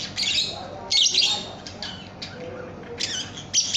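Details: Young lovebird (paud) training recording: short, shrill squawking chatter bursts about a second apart, with fainter lower notes between them.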